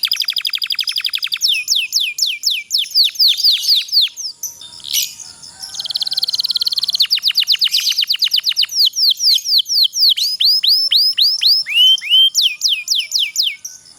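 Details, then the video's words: Long rolling canary song played to stimulate lazy canaries to sing: dense rapid trills and strings of falling whistled sweeps, briefly broken by a harsh burst midway, then more swift downward notes. "suara kenari pocong ngerol panjang sangat ampuh untuk masteran kenari loyo malas bunyi jadi gacor"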